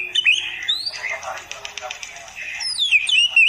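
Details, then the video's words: Master song of an oriental magpie-robin (kacer) for beginner birds: a whistled slide, then a rapid dry ticking rattle, finishing with loud descending whistled notes. "masteran Burung Kacer Khusus Pemula"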